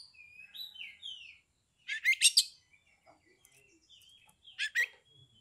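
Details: Male captive Oriental magpie-robin (Copsychus saularis) song, used to provoke other magpie-robins to sing and fight: clear sliding whistles, then loud harsh chattering bursts repeated after a pause, softer high notes between.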